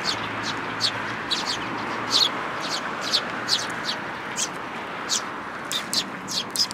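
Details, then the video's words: Sparrows, including a newly arrived fledgling, at a feeding spot in a plum tree at a shrine in Japan, recorded 21 June 2022; short sharp chirps repeated irregularly over a steady broadband background hiss. "梅の木の餌場に来る雀達 新入り君の雛鳥"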